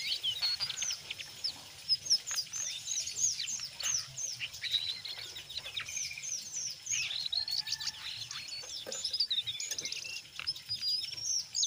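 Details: A brown jongkangan sings a lively ngeriwik song blended with ngeplong notes, played to coax young untrained jongkangan into singing: a dense, continuous stream of rapid high chirps, trills and short whistled slurs, with no pauses.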